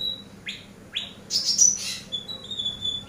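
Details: Eurasian tree sparrow used as a master bird for training other songbirds: two sharp rising chirps, then a burst of dense, high chattering notes and a thin, steady high note at the end.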